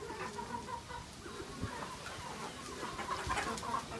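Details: Garden-raised free-range chickens fed grasshoppers, clucking in a dense, irregular stream of short low notes, with some brighter calls toward the end against a constant farmyard hiss.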